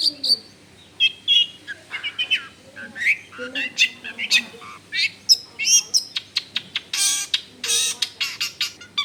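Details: Long-tailed shrike in full song, used as a lure to make other shrikes sing, recorded in a crowded residential area: a rapid, varied jumble of chattering, whistled and harsh notes with sharp clicks and buzzy bursts.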